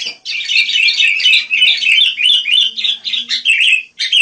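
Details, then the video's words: Wild sooty-headed bulbuls chirp busily in quick, bubbly overlapping phrases, a stream of squeaky notes broken only by tiny pauses. "Rame Kicau Burung Kutilang"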